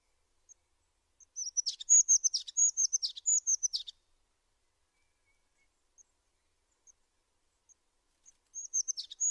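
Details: Singing tit: a few isolated high ticks, then about two and a half seconds of rapid, high, sharp notes, a long quiet stretch with scattered ticks, and a final short burst.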